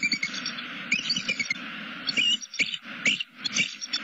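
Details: Wild bald eagle pair at their nest in southwest Florida, one flying in to greet its waiting mate; a rapid series of high, thin chittering notes with short squeaky bursts, continuous for four seconds.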